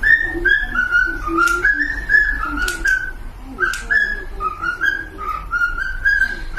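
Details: Pet cockatiels whistling a smooth melody of linked notes that step up and down, with a softer lower warbling voice underneath and a few sharp clicks.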